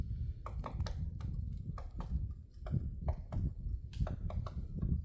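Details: Woodpecker chipping at a tree on Namsan in Chungju, February 7, 2026. Crisp wooden taps come in irregular clusters, several per second, against a steady low rumble of wind.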